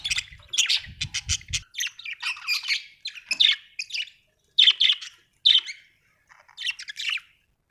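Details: Budgerigar chirping happily: continuous scratchy warbling chatter broken into short buzzy phrases and clicks, some louder squawky notes, with faint low rumbling at the start.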